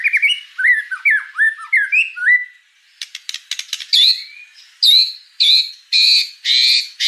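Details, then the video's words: Young spotted white-rumped shamas are trained with this tutor song: a run of short bouncy slurred whistles, a pause, dry clicking ticks, then loud harsh buzzy notes repeated about twice a second. "MASTERAN MURAI BATU TROTOL"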